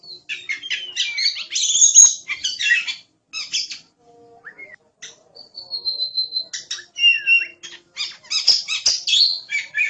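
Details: Kacer (oriental magpie-robin) singing in a tutor recording: dense chattering phrases, a brief pause with soft low notes, then clear steady whistles and further bursts of rapid varied chirps.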